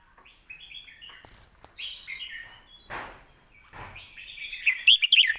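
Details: Red-whiskered bulbul, caged, singing its scoring song for teaching young birds: soft descending warbles, then a loud bright flourish at the end, with rustling noise bursts and a thin constant high tone.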